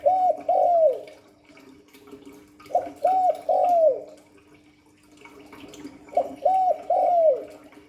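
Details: Spotted dove calling in the Hạp Bổi voice: three matching phrases about every three seconds, each two short hooting coos followed by a longer falling coo, over a steady low hum.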